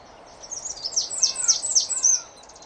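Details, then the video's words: Eurasian wren singing to mark its territory: a fast, very high trilled outburst of rapid metallic notes and sharp rattles lasting about two seconds, loud and close, with faint background rustle. "Vogelstimmen: Der Zaunkönig - Wren - Troglodytes troglodytes"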